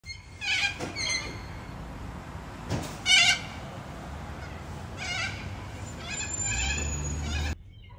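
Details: A wild cockatoo in Australia gives four harsh, nasal squawks with bleat-like wavering, spaced a second or two apart; the last is drawn out over a low rumble of wind or handling.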